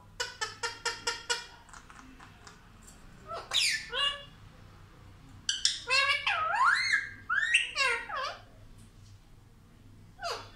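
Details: Indian ringneck parrot known for saying 'mummy papa': a fast train of short clipped squawks, then drawn-out wavering speech-like phrases that sweep up and down, with quiet gaps and low hum.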